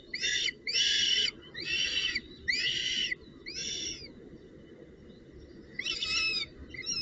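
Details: Northern goshawk female at its nest, bringing a branch and prey, June 19, 2018. Loud, harsh, harmonic squealing bursts, each about half a second long. Six come in irregular succession over steady background rustle.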